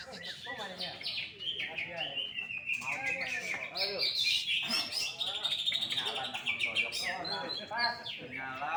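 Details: Greater green leafbird singing at a songbird contest where it took first place: a dense, fast stream of high, overlapping chirps and whistles, with other birds and men talking throughout.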